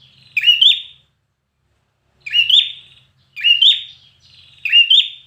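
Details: Red-whiskered bulbul in competition-style singing, from bird training: four short, sharp, rich warbled phrases with a rising then falling twist, separated by pauses of about one to two seconds, otherwise quiet.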